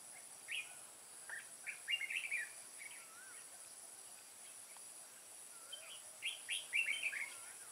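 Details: Red-whiskered bulbul used to lure wild birds into a trap at Kim Bôi, Hòa Bình, Vietnam, 14 May 2018, a bird being caught: two bursts of bright, chattering warbled phrases, separated by a quiet gap, over a steady high insect hiss.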